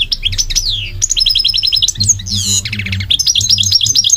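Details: Goldfinch pouring out a lively song of rapid repeated high chirps, falling slurs, a short rasping buzz and liquid twittering phrases, with a faint low hum underneath.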